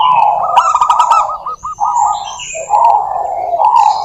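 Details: Lure recording of local zebra doves in vigorous song. A fast stuttering series of cooing notes with clicking ticks, then smoother rolling coos continuing to the end.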